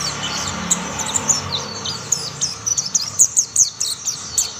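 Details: Several mountain white-eyes join one another in song, producing high, sweet twitters that grow denser and louder toward the end, with rapid chirps bunched in quick runs; faint low background hum.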